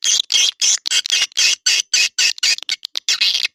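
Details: Edible-nest swiftlet lure call for swiftlet houses: harsh, high buzzy chirps in an even rhythm, about four per second, each roughly a fifth of a second long.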